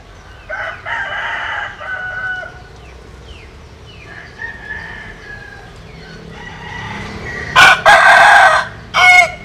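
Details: Bantam rooster crowing, bred from a Japanese bantam mother and a Cuban sire. Distant crows from other birds come first, then a loud, close, harsh crow near the end, followed by a short final note.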